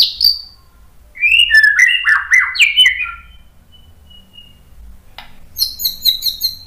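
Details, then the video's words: White-rumped shama singing a tutor song meant to provoke another bird into answering: clear whistled phrases with sharp slurred notes, a pause, then a rapid burst of very high, repeated buzzy notes, loud and close. "MASTERAN MURAI BATU memancing EMOSI jadi NYAUT BUNYI BONGKAR MATERI ISIAN"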